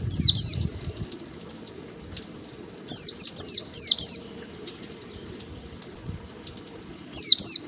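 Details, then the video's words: White-eye ngalas, a wild-style song played to teach caged birds, with paired high descending whistles repeated in several groups about every few seconds above a constant background of running water. "pancingan pleci ngalas UNTUK PANCINGAN PLECI BELAJAR NGALAS"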